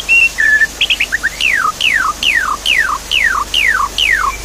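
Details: Javan pied starling lure song for a quiet bird. A few short whistles and chips, then a steady series of seven loud downward-sweeping notes, each about half a second apart.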